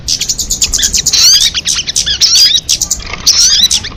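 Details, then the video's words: A crested jay gives an almost continuous scratchy chatter with twittering and rising whistled slurs, softer at first and louder from the middle onward. "Suara MP3 burung sogon"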